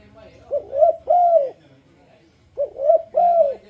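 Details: Spotted dove luring other doves to join in song: two clear phrases about two seconds apart, each a short clipped coo, a rising-falling coo, then a sustained arched coo, over low background rumble.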